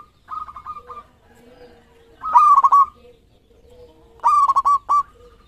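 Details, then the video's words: Local zebra dove singing, used as a lure tutor recording: a softer trilled coo phrase opens, then two loud rolling phrases of a rising note and three quick pulsed coos about two seconds apart, with faint low whistles between. "Perkutut Lokal Gacor Ekor 13 Juaranya Masteran Pikat"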